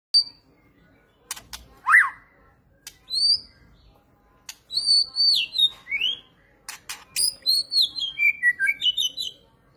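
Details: White-rumped shama singing a varied run of clear whistles, slurred notes and rapid chirps, sliding up and down in pitch, with short pauses between phrases and a dense burst of quick notes toward the end; quiet background.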